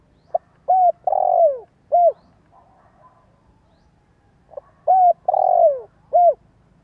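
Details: Two identical phrases from a spotted dove lure recording, about four seconds apart. Each has a quick soft note, a rounded coo, a drawn-out raspy descending coo and a last short coo. Faint low hum underneath.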